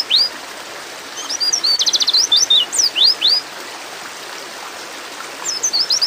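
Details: A female white-eye in breeding condition calls for a male: a crisp rattling trill, then several high downslurred chirps, a long pause with steady hiss, and a few final twitters at the end.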